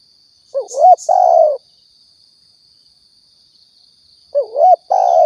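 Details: Spotted dove, a Riau lure call for hunting: two phrases nearly four seconds apart, each a warbled rising double coo then a longer level cooo, with a brief high click near the start and a steady faint whine.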